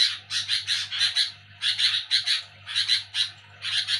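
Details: Noisy nighttime calling of a sooty-headed bulbul: four short spells of rasping, buzzy chatter about a second apart, separated by quiet gaps, steady low hum in background.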